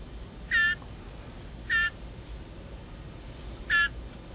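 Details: Hungry blue jay being hand-fed ground beef gives three brief raspy shrieks at uneven intervals over a few seconds, with a steady faint high whine in the background and a man urging it on.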